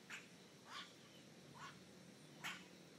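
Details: Magpie jay near Nuevo Arenal, Costa Rica, uttering four harsh, grating squawks, roughly one every 0.8 seconds, against a noisy background.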